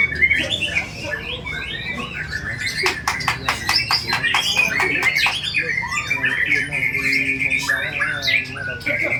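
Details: Singing white-rumped shama in a bowing posture: varied whistles interrupted midway by a run of hard rattling clicks, then a long sequence of level, repeated whistled notes.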